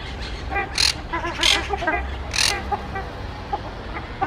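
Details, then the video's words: A pair of Ruddy Shelducks, parents of three young of which two remain, give nasal honking squawks in short repeated bursts, with sharp noisy bursts and faint voices behind. "Ruddy Shelduck en primera toma , graznando"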